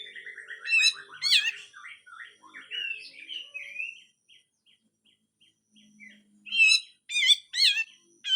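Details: Grey-cheeked bulbul in harsh, full song: a falling cascade of chattering notes, sharp upswept squeaks and slurred whistles, a quiet pause, then a burst of loud, steeply rising whip-like notes.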